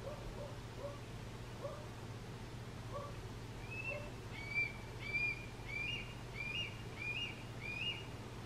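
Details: Juvenile Red-tailed Hawk crying for its parents, giving high, thin squealing notes about one every two-thirds of a second, with softer lower whistles early on and a steady low hum throughout.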